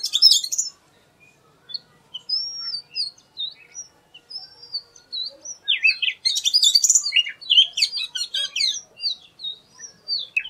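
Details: Unusual song of an Oriental magpie-robin, known in Bengali as doyel: a burst of chirps, then thin, widely spaced whistled slurs, then a busy run of rapid trills and twittering notes.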